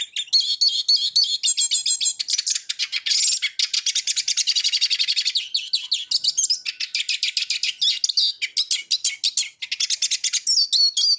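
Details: A Eurasian siskin delivers a long continuous song of rapid high twittering, fast chattering trills and wheezy buzzing passages, with brief whistled slurs near the end and no other sounds.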